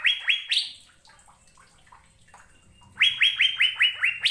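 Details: Bright, rapid song of an Asian fairy-bluebird: two or three quick whistled notes and a higher one, a two-second pause, then a brisk run of about seven short downslurred whistles.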